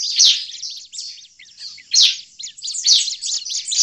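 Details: Agitated Bar-winged prinia calls, used to attract prinias: loud high chirps in bursts separated by softer scratchy notes, peaks roughly every second.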